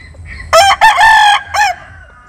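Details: Chicken crowing at daybreak in the morning sun: a short note, then a long, steady, harmonic crow, and a brief final syllable fading out.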